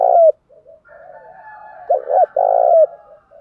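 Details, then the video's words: Spotted dove song aimed at goading other doves into a fight, with one loud coo, soft low murmurs, then a three-note phrase ending in a drawn-out, slurred coo, and a steady faint tone behind. "Chim cu gáy thúc đấu giọng hay"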